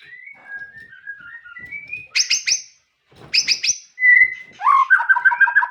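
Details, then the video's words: White-rumped shama song opening with soft descending whistles, then harsh buzzy rattling bursts, a pure held whistle and a quick repeated two-tone warble at the end. "MURAI TAMBAH NGOTOT DENGAR SUARA ASLI INI"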